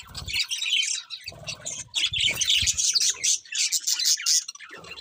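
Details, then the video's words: Loud, continuous budgerigar chirping: a dense, buzzy warble of high squeaks and chatter, with low thumps at intervals. "Adorable Budgies Chirping Sounds"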